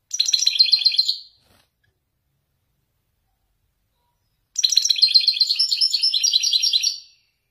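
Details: Moroccan wedani goldfinch delivering Marrakech-style song: a brief rapid twitter, a long silent gap of about three seconds, then a dense, bright, jingling phrase of quick trilled notes.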